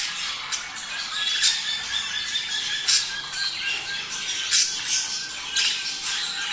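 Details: Budgerigar breeding-stimulation sound. A steady high chatter is broken by sharp squawks roughly every second or so, each a short bright burst above the flock's murmur.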